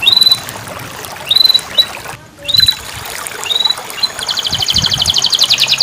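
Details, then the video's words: Canary song for coaxing a non-singing canary: scattered thin, upslurred whistles with pauses, then a quieter rapid buzzy trill at the end. "terapi kenari macet bunyi"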